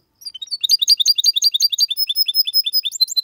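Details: Hybrid goldfinch crossed with canary delivering clear 'copia Malaga' song for stimulating males and tutoring chicks: dense, quick twittering trills of sharp high notes running continuously without pause.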